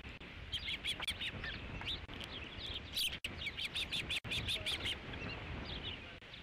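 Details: Osprey chirping at the Dunrovin Ranch nest on 3 July 2016 as a fifth fish is delivered: dense series of piercing whistled notes, roughly three per second, fading out over the last second amid soft background hum.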